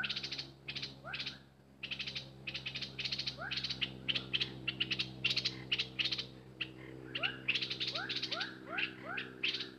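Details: Worked-up decoy bulbul: long run of dry buzzy chatter bursts, joined near the end by a quick sequence of rising whistled slurs, with a faint steady hum behind.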